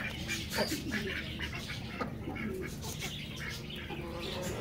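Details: Domestic white crested American Pekin ducks in Pakistan give harsh, nasal quacks in short bursts over steady background noise, with faint voices mixed in.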